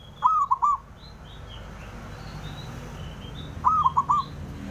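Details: Male zebra dove calling out to rivals, two coo phrases three and a half seconds apart, each a long note and a short triple; small birds chirp thinly in the background.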